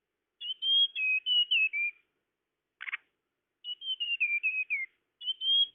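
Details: Tledekan lure call used to attract birds: clear whistled phrases around high pitch, slightly descending notes in strings, two long phrases with a brief buzzy burst between, then a third phrase starting; otherwise silent background.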